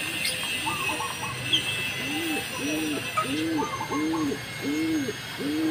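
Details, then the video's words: Green pigeon giving repeated rising-and-falling whistled notes, about eighty per minute, accompanied by higher warbling phrases, against constant high-pitched background hum. "Burung Punai Hijau"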